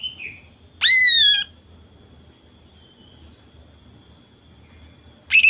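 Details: Female greater green leafbird used to set males singing: one loud, drawn-out whistle sliding downward over half a second, a long quiet pause, then the start of a fast rattling burst.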